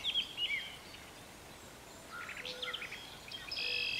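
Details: Brown thrasher singing in a garden in spring: varied, rich phrases in short bursts, with rapid warbled notes and slurred whistles separated by brief pauses.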